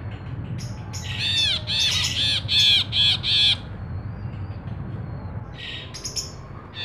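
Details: Ashy bulbul singing steadily, recorded as tutor and lure material for kept songbirds: a rapid run of six harsh, nasal, buzzy notes in quick succession, then a pause and a few fainter notes against a constant low rumble.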